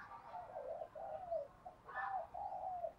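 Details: Spotted dove cooing in the thúc and gáy gọi styles, used for training birds to coo. Soft, low, drawn-out coo notes in a steady series, each roughly half a second long, quiet against a light background hiss.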